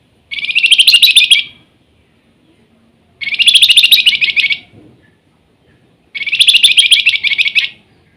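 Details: Flamboyan singing persistently in the nyiul style: three matching dense buzzy trills of about 1.3 seconds each, spaced roughly three seconds apart, with quiet gaps between them.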